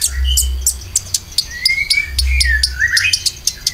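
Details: Konin lure song with filler for caged birds: clear whistled phrases rising then falling, mixed with sharp high chirps, over a deep steady pulse.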